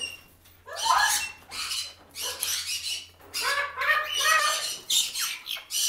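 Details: A pet white-capped pionus attacks its toy, giving four or five harsh, grating squawks in ragged bursts, some sliding downward, with soft rustling between them. A Hyacinth Macaw talks in the background.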